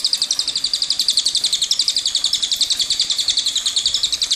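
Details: Rapid rolling song from a cililin: high, sharp notes run together in a long, steady trill at about four notes per second throughout.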